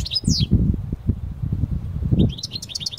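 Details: European goldfinch of the Parva type, taken outdoors into nature to sing: a high twittering phrase at the start, then a low rumbling lull and a renewed burst of rapid chirps and trills near the end.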